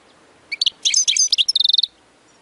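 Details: Goldfinch tutor song for young birds: a cluster of varied chirps and twitters ending in a fast, even trill of repeated high notes.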